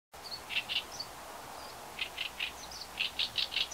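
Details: Oriental reed warbler giving harsh, dry chack call notes, not song, in short bursts of two to four, about one series per second, over faint background hiss.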